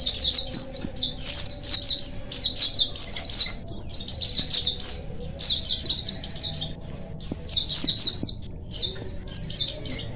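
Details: Colony of oriental white-eyes, a recording used to spur reluctant birds into singing; high-pitched twittering phrases run almost without pause, several birds overlapping, with brief breaks near four and eight seconds.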